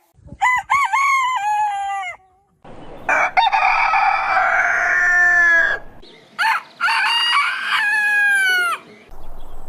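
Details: Crowing roosters at morning: a series of quick stuttering notes, then a long hoarse, noisy crow with a broad harsh texture, and a closing crow of several stepped tones falling slightly in pitch.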